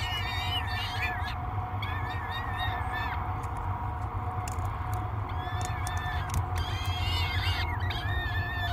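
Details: At Great Spirit Bluff on 24 May 2022, three peregrine falcon chicks beg as food arrives: stacked, quavering squeals in repeated bouts with brief pauses, sharp ticks scattered through, over a persistent low drone.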